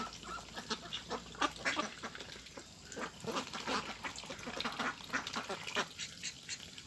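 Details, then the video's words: Large flock of farm ducks on a rice field, heard more faintly as a continuous chorus of overlapping quacks over a steady background hiss. "Duck Sound"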